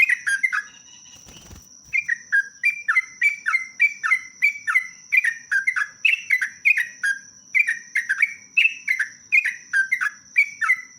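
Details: Sooty-headed bulbul (trucuk) singing a long rapid 'ropelan panjang' song: a dense run of short, bright chirps that each slide downward, about two to three per second. A brief rustle sounds near the start, with a steady high tone throughout.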